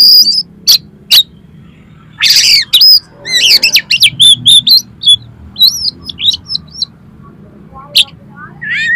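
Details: Oriental magpie-robin song used to train competition birds: sharp high clicks, then loud tumbling bursts of varied whistles, trills and scratchy notes in quick succession, tapering to scattered chips and a final upslurred phrase.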